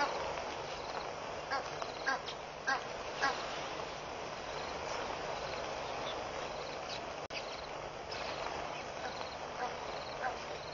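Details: Hundreds of red-billed quelea fluttering around a bush at Pete's Pond, Mashatu Game Reserve, Botswana, on 9 August 2013: a dense, unbroken chattering roar from the flock, dotted with sharper chirps and a few louder bursts.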